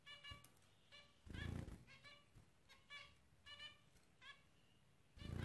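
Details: Zebra finches trading clipped, nasal toy-trumpet beeps about every half second, with rumbling thumps at the start, middle and end.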